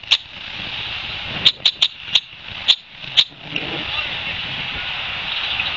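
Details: A territorial red-winged blackbird, probably raising its own young nearby, harasses ospreys with two young on their nest at Long Beach Island, NJ, on 23 June 2021 at 2:18 p.m. It gives seven sharp, dry chips at irregular intervals, sometimes two or three in quick succession, over a steady high hiss.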